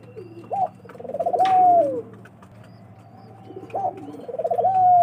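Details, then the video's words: Dove calling: low, soft cooing phrases that rise then slide and fade, given twice a few seconds apart over a faint steady hum. "মন মাতানো ঘুঘুর ডাক"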